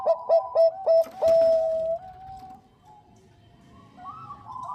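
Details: Zebra dove, Bangkok type, female calling a male: a loud burst of quick clipped coos ending in a long sustained note, followed by quiet background cooing.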